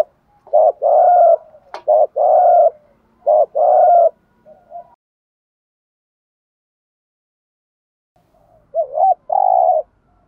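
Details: Spotted dove kept as a decoy bird, singing its newest cooing pieces to train newly caught wild doves: a burst of four loud, deep, throaty coo notes, a long pause, then another two-note cooing phrase near the end.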